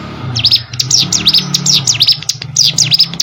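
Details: Plain prinia from rice fields repeating quick, high, downslurred chirps in an unbroken, fast rhythm over a low humming background.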